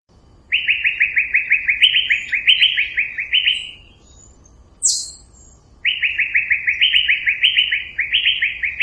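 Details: Asian fairy-bluebird singing: fast runs of short, bright upslurred notes, about a dozen in a row, a brief higher squeak in the pause, then a second matching run; quiet background.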